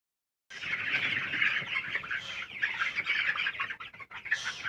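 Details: Colour broiler chickens chirping as a dense, continuous flock chorus of high, overlapping peeps that runs steadily after a short silent start, with a brief louder scratchy burst near the end.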